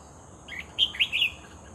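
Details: Red-whiskered bulbul heard while being lured, briefly singing: a quick burst of three or four bright, slurred whistled notes, rising and falling, against a steady thin high hum.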